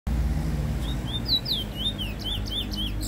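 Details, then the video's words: Black bullfinch singing, recorded in 2019: a series of short, clear whistled notes, some rising and some falling, delivered in quick succession over a steady low rumble. "Black bullfinch singing"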